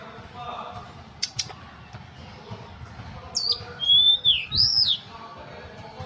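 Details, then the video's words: Ashy tailorbird, called tledekan gunung, in full wiksar song. After a few faint clicks comes a clear whistled phrase: a short downslur, a level whistle that falls away, then a rising-falling note. "Kicauan Tledekan Gunung Full Wiksar"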